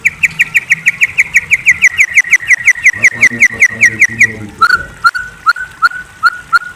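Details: Night-time chirps of a white-rumped shama: a fast, even series of short sharp notes repeated about three times a second, dropping to lower whistled chirps at the end, with faint low background rumble.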